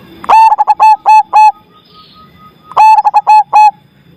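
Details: Zebra dove with a loud, big voice delivering two full cooing phrases, each a rapid string of about seven bright, harmonic coos at one steady pitch, separated by a pause with a faint high whistled note.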